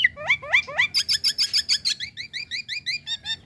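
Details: Female Nias hill myna calling the male: rapid series of sharp rising whistled notes, about three per second, shifting to buzzy high notes and then a steady run of clipped two-tone chirps.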